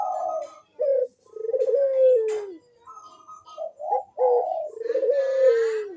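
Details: Lively cooing of Barbary doves meant to stir lazy birds into calling: brief clipped notes, then long smooth coos drooping at their ends, interleaved with higher broken phrases from overlapping voices.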